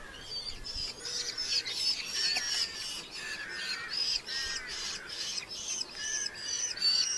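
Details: Red-footed falcons at a nest in Polgár, Hungary, during the 2024 breeding season give harsh, high, chattering squeals repeated rapidly in bursts about every half second, over faint background hiss.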